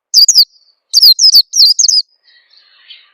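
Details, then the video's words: Oriental white-eye lure call intended to make caged birds sing: two quick thin chirps, then a tight run of high downslurred notes, fading into faint soft twitters at the end. "suara pikat burung peleci bakalan biyar cepet bunyi"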